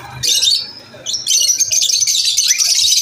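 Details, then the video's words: Piercing, rapid lovebird chirping at lunch time, a short burst, a brief lull, then an unbroken loud run of squeaky high notes. "Lovebirds chirping sound"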